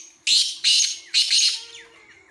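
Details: Loud, coarse call of a Black francolin: four harsh rasping bursts grouped in two pairs, each note broad and scratchy, with a faint high whistle trailing afterwards.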